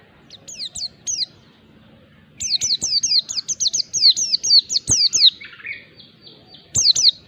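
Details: Mountain white-eye ngalas song used to rouse a reluctant bird: a few scattered high chirps, then a long rapid stream of falling whistled notes ending in a thin buzzy trill, and a final pair.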